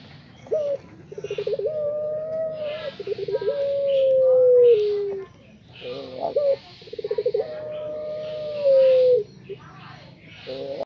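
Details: Anggungan puter pelung dove from Indonesia singing two long phrases, each opening with a quick rolling trill, then a drawn-out steady coo that slides slightly downward. Short noisy bursts break in between the phrases.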